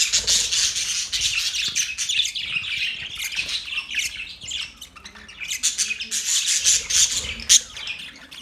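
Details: Australian parrots recorded October 10, 2023, with long stretches of busy, shrill twittering and squawks, thinning to scattered chips midway before another dense burst of rapid high notes.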